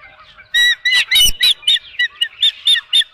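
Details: Osprey at a nest during a fish delivery, recorded by a nest camera on 23 April 2018 at 9:38 am; a series of sharp, squawking calls with harmonic bands, repeated roughly every quarter second after a short quiet start.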